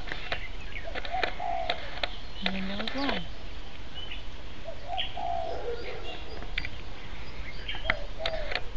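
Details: A pet Sulphur-crested cockatoo sways back and forth while making a long, drawn-out, weird raspy sound on May 19, 2008. It gives scattered raspy squeaks and a quick falling whine, with soft clicks over a steady low rumble.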